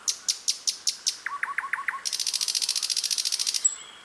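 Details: Wild sikatan londo producing a fast sequence: high sharp ticks, a few lower hooked whistles, then a long, even, rapid buzzy trill lasting about one and a half seconds, ending on a thin whistle.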